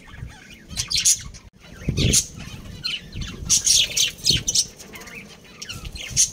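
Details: Budgerigar breeding pair, family birds: lively high warbling chirps in clustered bursts, with occasional low thuds and rustles between the calls.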